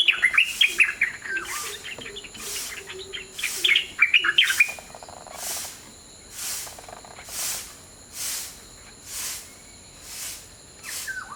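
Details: White-browed bulbuls foraging in the wild give a fast, bubbly chatter of varied notes for about four seconds. Then it breaks off and soft, regular rushing bursts repeat roughly once a second.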